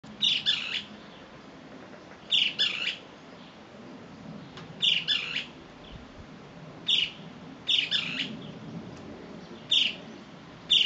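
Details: A male great kiskadee, calling to his companions, gives loud, harsh, two- or three-part calls repeated about every one to two seconds over a soft background hum.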